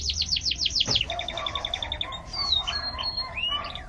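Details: Chicks, a red creole chick and a white farm chick, peeping: a series of descending shrill peeps, then softer repeated high notes and a few rising whistles over a steady low background noise.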